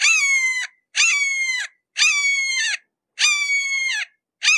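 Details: Red-shouldered hawk calling in a steady series of ringing, harsh kee-ah notes, roughly one per second, each slurring slightly down in pitch, with nothing else audible.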